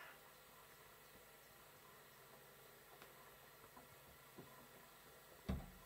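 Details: On Whit Monday 2017, a carrion crow knocks on a balcony door, waking the household: a few faint, scattered knocks, then one sharp, loud rap near the end, over quiet indoor hum.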